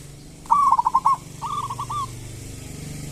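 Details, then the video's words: Zebra dove of local stock giving its kerot and bekur song as a lure for quiet doves. Two stuttering rolling coo phrases sound close together over a steady low background hum. "Pancingan perkutut lokal gacor cocok buat perkutut lokal susah bunyi"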